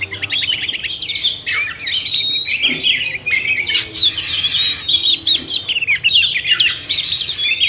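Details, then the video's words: Oriental magpie-robins, male and female, in a combined song used to encourage reluctant birds to sing; busy mix of sweet whistled notes, sharp chirps and rapid varied phrases with brief pauses. "suara kacer/sekoci jantan dan betina merangsang bunyi"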